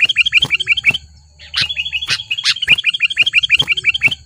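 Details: Wild sooty-headed bulbul agitated by a rival in Lubuklinggau city, delivering rapid strings of short, upward-hooked chirps broken by a brief gap and sharp ticking clicks, then resuming the chirping series.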